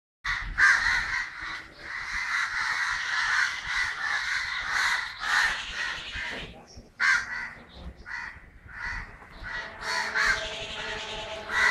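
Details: Crows calling in Kerala on 9 December 2012: a dense flock chorus of harsh, overlapping caws that run almost without pause, with a brief lull near the seventh second before the cawing swells again.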